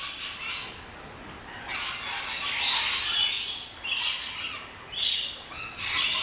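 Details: A flock of rainbow lorikeets, small parrots in a lory garden at an orchid farm in Luttelgeest, Netherlands: sustained harsh screeching chatter with sudden loud squawk bursts.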